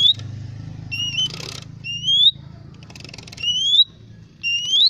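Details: Lesser green leafbird giving loud, drawn-out rising whistles, repeated about every one to two seconds, with brief rustling or scratchy noise between them.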